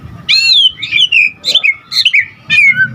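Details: Energetic white-rumped shama song with mixed-in phrases: rich, falling whistled slurs in quick groups of two or three, with a low hum below.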